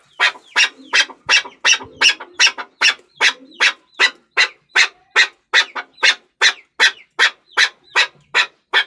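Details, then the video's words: Chukar partridge calling with harsh, rasping notes repeated in a steady rhythm, about two and a half per second, loud and close throughout. "Chakor Ki Awaz || Chukar Partridge Sound"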